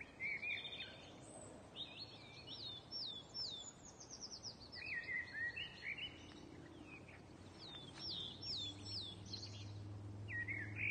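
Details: Birds chirping during lockdown: lively, high-pitched twitters and quick downslurred chirps come in clusters throughout, with a steady low rumble of background noise underneath.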